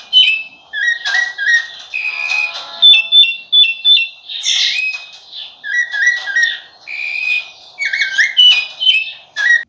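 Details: Long stretch of rufous-bellied thrush song: many brief whistled phrases, often with a sharp falling hook, repeated roughly every half second. Scattered sharp chips and a steady hum accompany it.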